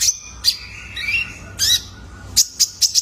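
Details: Lure call of a juvenile male kolibri ninja (Ruby-cheeked Sunbird) for training cage birds: a few sharp chirps and a soft rising whistle, closing with four quick bright chirps.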